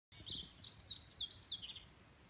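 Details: European pied flycatcher at Nymølle sings a quick phrase of five or six high, sweet notes, each sliding downward, over a faint background hush.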